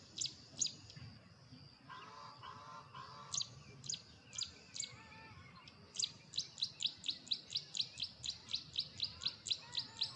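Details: Bold male Carolina wren perched and belting out his loud teakettle-style song to declare territory. Scattered high notes and a brief lower warble lead into a fast, steady run of ringing phrases, about four per second, in a quiet yard.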